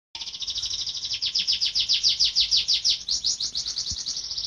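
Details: Canary in rolling song, played to teach silent caged birds: one continuous fast series of high, bright swept notes, several per second, steady throughout.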